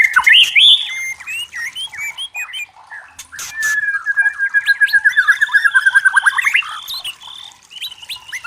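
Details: Clear natural song of a white-rumped shama in forest, whistled upslurs, a long rapid series of repeated chipping notes rising in pitch, and scattered sharp clicks.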